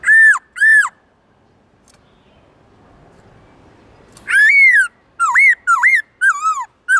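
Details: Black-throated laughingthrush singing forest-voice song with long, loud, clear tones. Two arched whistles, a quiet stretch, then a lively series of rising, twisting and falling whistled notes.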